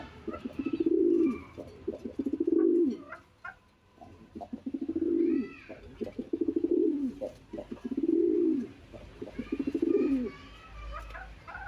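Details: Pet domestic pigeons kept on a home balcony call to each other, with the female about to lay eggs, giving deep throaty rolling coos about every one and a half seconds.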